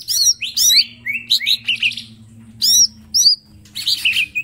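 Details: Green leafbird, small caged songster, in a master recording for training: loud varied song of whistled slurs, looping high notes and sharp downward strokes in quick bursts separated by short pauses, with a faint low hum behind.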